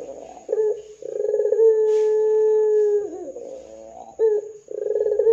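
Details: Ringneck dove cooing repeatedly as a lure to make other doves call: rolling burry phrases alternate with a long steady low coo that bends downward, followed by further rolled bursts.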